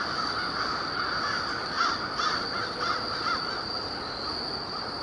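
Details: Crows gathering near a winter overnight roost by low warehouse buildings just after sunset, October 21, 2021; four or five hoarse caws in quick succession with distant cawing behind, over a steady hum.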